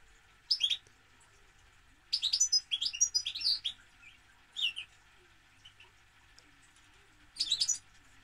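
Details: Goldfinch singing in quick tinkling, twittering phrases, one longer run of rapid liquid notes near the start followed by brief bursts after pauses; faint hum underneath.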